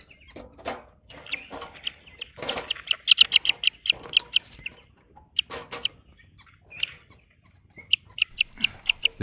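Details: Rapid bursts of high, harsh cackling from Green wood hoopoes, with rustling and handling noises, as four chicks are taken from a garden nest box for ringing. An adult male, possibly the father, gives alarm calls nearby.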